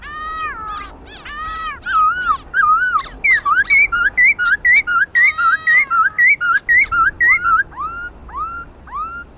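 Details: Khướu mun laughingthrush singing hard in 'hót đấu' fighting style, used to excite pet birds: opening upslurred whistles give way to a fast, even series of wavering looped notes, several per second.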